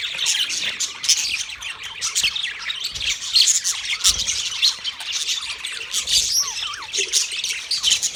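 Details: Budgerigars in a colony of 30 pairs fill the air with constant overlapping chirps, rapid twittering warbles and scratchy squawks, a busy high-pitched chorus that swells and dips without break.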